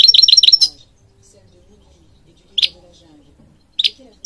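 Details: European goldfinch singing, described as a breeding songbird of Morocco found even in public gardens; a quick run of five bright, high chirped notes, then two isolated sharp tweets after long pauses in a quiet room.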